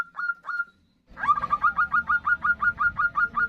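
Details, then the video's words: Female zebra dove calling the male in an answering exchange: two separate ringing notes, a brief pause, then a quick steady series of about thirteen clipped cooing notes over a faint low hum. "Suara perkutut betina memanggil jantan"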